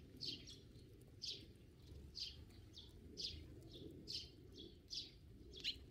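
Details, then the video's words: Sparrow heard in short, high chirps spaced about every half second to one second, with a faint low hum underneath. "참새, Sparrow"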